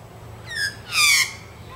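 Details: Australian magpie socializing in suburban Sydney: two short harsh calls, the second louder and broader with a downward-sliding tone, over a low background hum.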